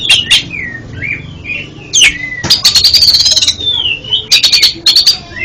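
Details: Song of the oriental magpie-robin, or kacer, played for stuttering birds: smooth whistled slides, a loud sharp note, then rapid buzzy chatter and a long falling whistle, ending in short clustered bursts.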